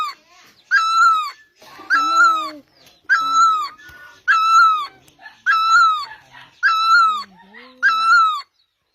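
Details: Asian great barbet calling: seven rich, drawn-out honking notes at a steady rhythm, with softer lower murmurs between some notes.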